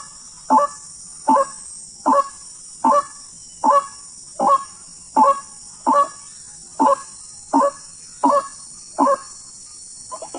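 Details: Wild white-breasted waterhen, known locally as ruak-ruak, heard while hunters seek it. Harsh, honking notes are repeated steadily about every 0.8 seconds, each a short, clipped burst with a constant high hiss behind.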